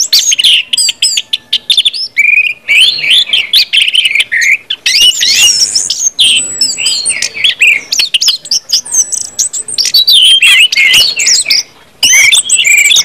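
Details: Long run of orange-headed thrush ngeplong song, intended to coax other birds into singing: varied, loud warbling with clipped chirps, sweeping whistles and mimic-like phrases, with one short pause near the end.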